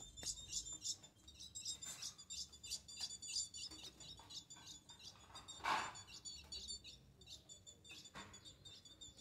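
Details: An eight-month-old young female ultramarine grosbeak asks for mating with rhythmic sharp, high twittering chirps repeated throughout, broken by a few low thuds.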